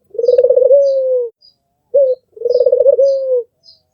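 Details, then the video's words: Cooing of an albino, red-eyed Barbary dove: a pulsing, trilled purr running into a smooth fading coo, a single short note, then the same purring coo again, light high-pitched chirps behind. "SUARA BURUNG PUTER MERDU"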